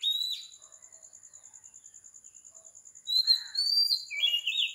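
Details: An Oriental magpie-robin sings at 4 am on a tropical island in Sri Lanka. One brief whistle opens the clip, followed by a pause filled only by a rhythmic insect trill, then a new run of bright whistles.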